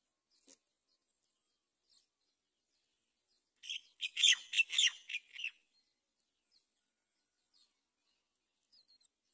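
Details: A Great myna, around a baby bird that has fallen out of the nest hole, gives a two-second burst of harsh, scratchy, high chattering notes in quick succession in quiet surroundings.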